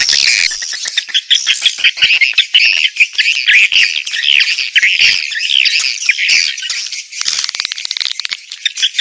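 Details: Many swiftlets twittering together in a lure recording meant to draw swiftlets, prepared for outdoor and indoor speakers; shrill, busy chirps and buzzy trills overlap continuously with quick dry clicks.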